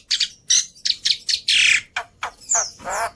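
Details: Black-winged starling song used as a lure and tutor recording, full of varied filler phrases easy to copy: harsh squawky bursts and bright whistled notes, about nine short phrases in three seconds.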